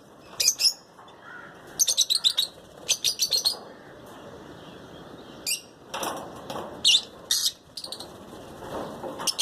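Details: Lutino lovebird pairs: rapid strings of piercing high chirps delivered in short clusters of three to five, with gaps of fluttering wings and quieter rustling between bursts.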